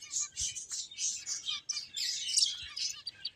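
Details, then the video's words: Finches chatter in thin, high, rasping chirps, one after another in a near-continuous stream, with faint tapping beneath. "Cute Birds Chirping Sounds | Beautiful Finches Playing"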